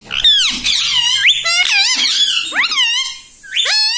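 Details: Pet green ring-necked parrot kept indoors, talking in a small room: a run of harmonic, squeaky, bending syllables with sharp upward and downward pitch swoops, nearly continuous over four seconds, with brief pauses between phrases.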